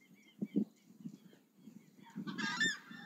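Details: Chajá, the southern screamer, heard as low muffled thumps followed near the end by a brief, strident honking call with bright harmonics, rising slightly before breaking off.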